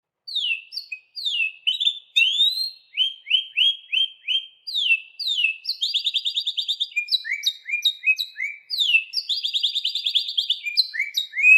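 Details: Canary singing: high whistled downslurs and upslurs repeated in sequence, then fast buzzy trills and rolling rapid phrases, sung continuously with short gaps. Clean recording without other sounds.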